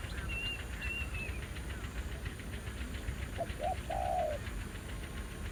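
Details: Spotted dove at a decoy trapping ground, where a new wild bird answered aggressively: a series of high thin whistles from another bird comes first, then a single phrase of two short hoots and a long coo.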